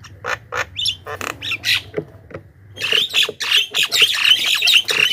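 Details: Javan myna lure sound for attracting wild birds: spaced harsh notes at first, then a loud, scratchy burst of overlapping squawks and chatter, roughly four notes a second.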